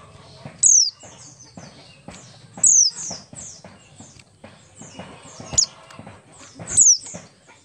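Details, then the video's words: Oriental white-eye, Buxtoni type, singing ngalas song as a lure for other white-eyes: sharp, high falling whistles every one to two seconds, fainter slurred notes between, against steady tapping and rustling noise. "pleci Buxtoni ngalas 12345 pancingan pleci bahan agar cepat bunyi"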